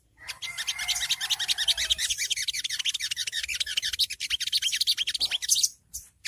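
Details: Long-tailed shrike (songgo ontong) in ngriwik style, used as early-stage training audio to draw birds to respond: a fast, dense run of high, scratchy chirping notes with a brief drawn whistle near the start, steady throughout.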